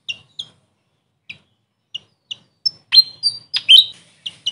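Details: Grey fantail, known locally as Maria Capra, uttering soft, well-spaced high chips about every half second, building into a louder cluster of sharp squeaky notes.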